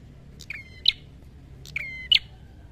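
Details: Red-headed prinia in a fighting song, giving two phrases. Each is a thin tick, a steady whistled tone, then an abrupt rasping note. There is a faint low background hum.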